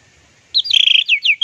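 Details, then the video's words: Orange-headed thrush singing a plong and teler masteran phrase: a rapid run of bright, warbling whistled notes, then two falling slurs and a closing high note. "MASTERAN TELER ANIS MERAH PLONG DAN TELER"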